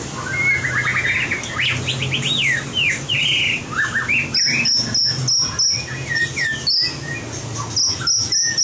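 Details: Voice-training song of a white-rumped shama in competition style: a run of rising slurred notes and buzzy phrases, then a series of repeated thin high whistles at a steady pace, over a low background hum.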